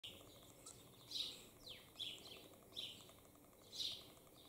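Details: In the morning, two male common starlings sit on a roof singing in competition and mimicking other birds, chickens and frogs: high, varied bursts of chatter and whistles about once a second, including a long falling whistle, over a steady background hiss.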